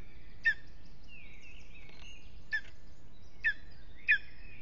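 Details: Lesser spotted eagle at its nest in an aspen at Aizkuja, Latvia, on a restless evening; a few sharp, high yelping notes spaced about a second apart, with one longer slurred whistle, over a low steady background hum.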